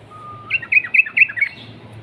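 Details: Short phrase from a Sooty-headed bulbul: a thin steady whistle, then a handful of quick, rich bubbly notes, part of a long rolling 'ropel' lure song.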